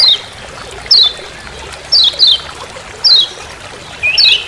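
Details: Lemon-bellied white-eye, known in Lombok as kecial kuning, calling "ciak ciak" in forest: sharp high descending notes about once a second, sometimes doubled, with a faint watery background hiss.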